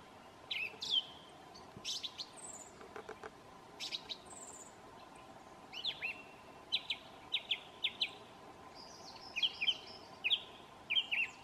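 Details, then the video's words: Thrush in New Zealand whistling its well-known tune: loud clear whistled phrases and short repeated notes, many phrases given twice or three times in quick succession, with steady low hum in the background. "The Song of a Thrush"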